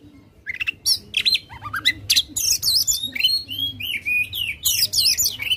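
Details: Oriental magpie-robin singing in aggressive display, tail spread: a quiet start, then bursts of scratchy notes and sweet slurred whistles rising and falling, repeated in quick succession.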